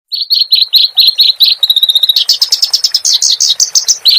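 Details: Clamorous reed warbler song used as a training recording for cage birds. A fast series of bright chirps near one pitch gives way to quicker, louder varied notes, repeated about one and a half times per second.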